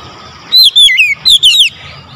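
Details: Loud calling of an Oriental magpie-robin, with two short bursts of bright whistled notes that sweep downward and waver, separated by a brief pause and framed by quiet.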